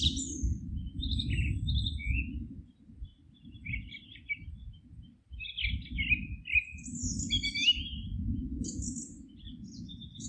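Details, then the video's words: Birds singing in a forest, giving scattered high chirps and short twittering phrases every second or so over a steady low rumbling background noise. "Forest relaxing sounds of singing birds"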